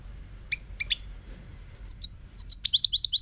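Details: Goldfinch song building from a few spaced, high chirps into a fast, jingling series of bright repeated notes.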